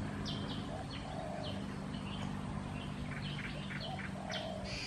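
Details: A black-headed bulbul (Brachypodius melanocephalos) at Sa Phang, Khao Yoi, Phetchaburi, Thailand, on 6 and 9 December 2020, giving short, high chirps scattered through the clip, several clustered near the end, over a steady low hum.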